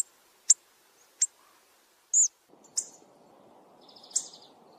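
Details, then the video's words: Hawfinch call from a hunting-lure sound mix: isolated very high, abrupt ticks spaced about a second apart, one slightly longer squeaky note, then a buzzy high note as a soft rushing background sets in. "Hawfinch Call Sound Mix of 2 best Hunting Sounds. صوت الكرمب او ديك الصلنج - دمج افضل صوتين للصيد"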